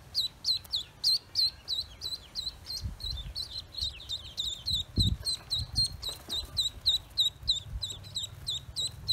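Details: Steady stream of piercing peeps from newly hatched Pekin ducklings on a farm, short downward-curving notes about three or four a second that sometimes overlap from several birds, with soft thumps underneath.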